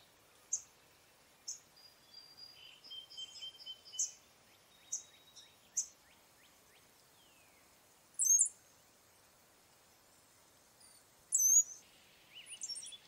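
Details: Brown-headed cowbird sounds: a series of short high sharp notes and soft clicks, thin level whistles, then two loud bursts of squeaky, high rising and falling whistles near the end. Quiet background.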